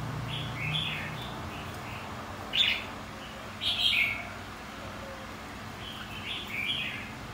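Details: A white-cheeked red-whiskered bulbul sings contest song: soft whistled notes early on, then a sharp high note at 2.6 seconds and a rich warbled phrase near four seconds, fading to gentler chirps.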